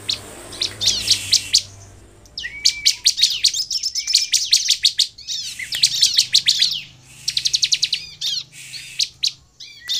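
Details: Bar-winged prinia in lively, nonstop song meant to lure other prinias into singing: dense bursts of rapid, high, buzzy trilled notes and sharp chips, with short rising whistles, broken by brief pauses.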